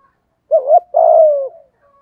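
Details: Single 'giọng thổ' phrase from a spotted dove used as a lure for wild doves: a brief wavering two-note start, a short pause, then a sustained low coo that slowly drops in pitch.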